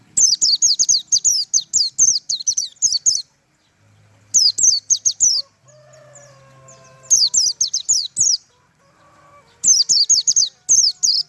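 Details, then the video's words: White-eye pouring out tembakan song in long bursts of fast, high, down-slurred whistles, four volleys in a row; faint lower calls from another bird between bursts. "tembakan burung pleci mantap abis"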